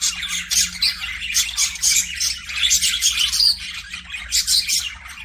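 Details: Budgerigars in a pet aviary chirp and warble nonstop, with fast buzzy notes and sharp squeaks packed closely together at an even, lively volume.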